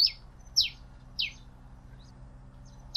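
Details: Pileated finch giving sharp, high chips that slur downward, about one every half second, over a faint steady hum.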